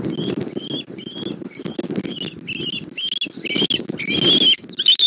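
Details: Bald eagle at a nest in Southwest Florida, 20 January 2024, as the adult male brings a fish and eats it himself; high, thin harmonic notes repeated in quick pairs, over steady low rustling and rumble.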